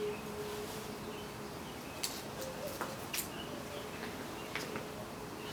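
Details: A spotted eagle-owl in a garden in Johannesburg, South Africa, hisses and gives a handful of sharp, dry bill clicks spaced irregularly over a few seconds as people walk around; steady breathy hiss and faint low hum.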